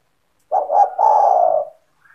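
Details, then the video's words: Spotted dove (tekukur) owned by a keeper and in full voice, used to lure other doves: a single low, hollow phrase, two clipped notes sliding into a long, gently falling coo, in quiet surroundings. "SEMUA TEKUKUR / DERKUKU AKAN TERPIKAT DENGAN SUARA TEKUKUR GACOR INI"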